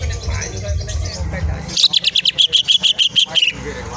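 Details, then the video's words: Greater green leafbird singing in ngentrok style, used as a lure to provoke other birds: after mixed talk and noise, a rapid run of sharp, high chipping notes repeated about three times a second for nearly two seconds. "cucak ijo gacor ngentrok full isian"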